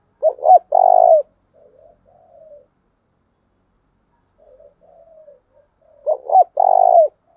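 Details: Caged decoy spotted dove used to train other doves, giving a luring call. A loud, quick stuttered pair of hoots leads into a long, deep coo, and softer murmured coos trail after it. The whole phrase repeats about five seconds later in a quiet room.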